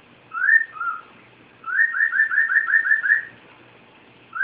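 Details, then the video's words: A pet cockatiel gives two clear whistles, then a fast string of about eight upslurred whistled notes, quiet otherwise. "Archimedes Whistling"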